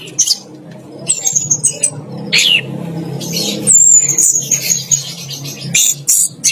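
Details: Orange-headed thrush bathing in a cage while singing loudly in the 'teler gacor' manner: sharp high whistles and one long sustained whistled note, mixed with scratchy phrases over a low background rumble.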